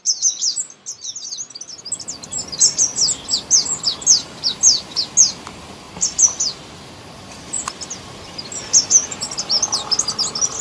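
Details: Nestlings chirping while being fed up close: a busy chorus of very high, thin, overlapping cheeps in rapid bursts, briefly fading before rising again, over a soft background hiss.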